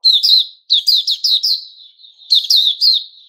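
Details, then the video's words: White-rumped shama singing, recorded 29 August 2021: bursts of high, buzzy chirps with sharp upper overtones, given in quick clusters of three to five notes with a brief pause between bursts. "Puteh Raja Sing Buka"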